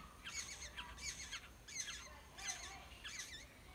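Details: Begging Black-hooded oriole chicks in the nest during feeding, wild birds: short bursts of squeaky, wobbling calls grouped roughly every seven-tenths of a second, with soft background hiss.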